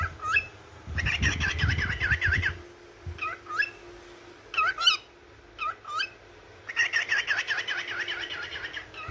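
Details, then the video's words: Yellow cockatiel, a kept parrot, singing and chirping in the morning: bursts of fast wavering warbles alternate with short upslurred whistles and pauses, with a low humming rumble and a steady faint tone underneath. "تغريد وغناء طائر الكوكتيل الاصفر"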